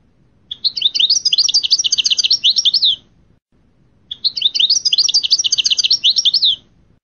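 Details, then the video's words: Named European goldfinch song note repeated twice: a rapid, dense run of bright twittering chirps lasting over two seconds each time, with a quiet pause between. "أسماء بعض النوطات الخاصة بالحسون"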